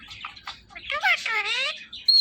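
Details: Pet male ringneck parrot, indoors and watching its own videos, produces a wavering, voice-like phrase of rising then falling harmonic tones, ending in a brief high squeak.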